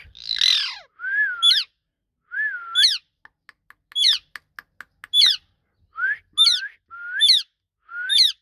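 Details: Ringneck parrot, described as talking, opening with a harsh squawk, then a series of swooping whistles each capped by a sharp high chirp, broken by a run of fast clicks.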